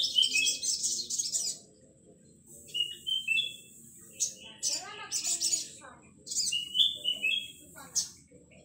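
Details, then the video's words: A young male olive-backed sunbird in full song gives rapid, high, thin twittering phrases with sharp metallic notes in quick bursts, over faint background noise. "BURUNG SRIGANTI /SOGOK ONTONG MUDA JANTAN GACOR"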